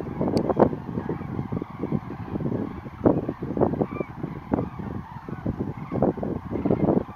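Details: Large flock of common cranes rising at dawn at Lac du Der, France, on 19 November 2016: a continuous, overlapping chorus of harsh, rolling bugles and honks over a steady low rumble.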